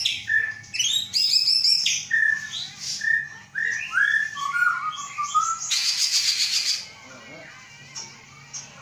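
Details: Captive-bred white-rumped shama from Aceh, hatched 23 August 2012, its mother from Terangun in Gayo Lues, prepared for breeding; varied clear whistled phrases, rising and falling slurs and chattering notes, ending in a harsh noisy burst, then quieter.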